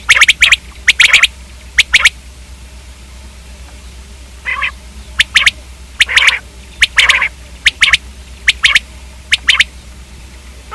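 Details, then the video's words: Common quail calling in brisk pairs and triplets of crisp, clicking notes spaced roughly a second apart, one softer squawky note midway, over a steady low hum. "Quail k hobsort awaz"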